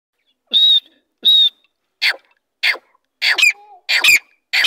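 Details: Female grey francolin call: a series of sharp, harsh high notes about every two-thirds of a second, the first two steady and tonal, the later ones rasping and rising.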